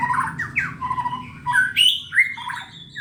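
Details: Contest-ready white-rumped shama singing in full voice: bright whistled notes that swoop up and down, short slurred phrases broken by brief pauses, and a soft low hum beneath.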